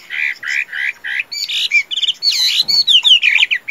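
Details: A male Chinese hwamei sings four rich slurred whistles at a quarter-second pace, then breaks into a fast, varied run of rising, falling and chirping notes.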